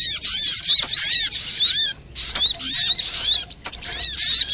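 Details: Lure recording of a crimson sunbird (sogok ontong) meant to make birds sing: shrill, rapid twittering with quick rising and falling chirps packed into loud bursts, with a brief gap near the middle.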